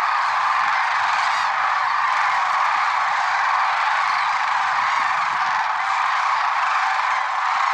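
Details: Lesser sandhill cranes gathered at Merced National Wildlife Refuge in early morning, February 6, 2023, producing a constant roar of overlapping bugling calls, occasional clearer rattles piercing the steady chorus.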